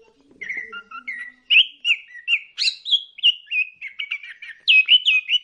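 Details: Orange-headed thrush singing, a lure recording meant to stimulate other birds to sing: a rapid string of varied clear whistled phrases, mid to high, rising in pitch toward the end, with brief low murmuring at the start.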